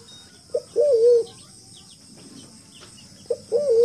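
A wild pigeon coos twice, each phrase a short low note followed by a longer wavering hoot, about three seconds apart, over a faint steady hiss.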